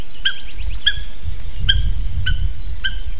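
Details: Eurasian hobbies, two adults visiting their nest in Slītere National Park, Latvia, on a June 2021 morning, recorded by a live nest camera. Short sharp notes sound about twice a second over a low rumbling background.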